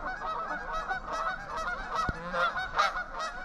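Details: A flock of Trumpeter Swans, 11 adults and two juveniles, on the icy Huron River, Ann Arbor, Michigan, 17 February 2021 at about 21 degrees, honk continuously with resonant, horn-like overlapping calls; faint human voices and one brief knock.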